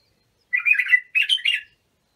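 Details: Iraqi bulbul song in the Abu Shuaib style, played for training young bulbuls: a warbled, fluty phrase, then a brighter second phrase that rises slightly at the start, against silence.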